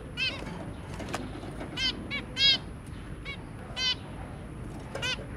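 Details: Zebra finch pair with three babies, recorded 23 January 2022: repeated short nasal honking calls at irregular intervals, a few louder bursts, and soft low-frequency background hum.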